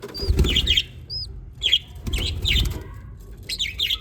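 Budgerigar chicks give short, raspy, high chirps in quick bursts over a low rumbling background.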